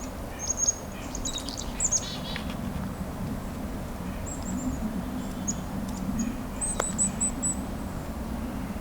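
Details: Black-capped Chickadees in a winter mixed feeding flock, a couple on the ground, during the Hanover-Walkerton Christmas Bird Count: thin, very high-pitched notes in short clustered bursts, over a steady low rumble of wind or traffic and one sharp click.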